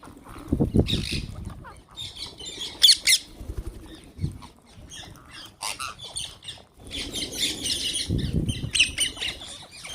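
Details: A flock of wild green parrots at a feeding spot, making rapid harsh squawks and chattering bursts, mixed with wing flaps and low thuds from birds moving about.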